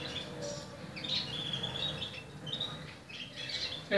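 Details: Several Portuguese Harlequin canary chicks chirping, with high squeaky notes and short drawn-out whistles in clusters, against a steady low background murmur, ending with a sudden louder knock.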